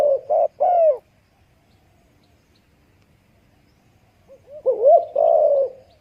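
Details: Dove chick beside its mother gives two quick reedy notes at the start, then a long silence broken by a rising, wavering cluster of calls near the end.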